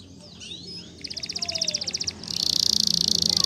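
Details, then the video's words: Spanish Timbrado canary training song heard against a steady background hum: a faint slurred whistle, then a rapid pulsing trill of about fifteen notes, breaking into a dense, loud metallic roll. "The Best Canary Training Song"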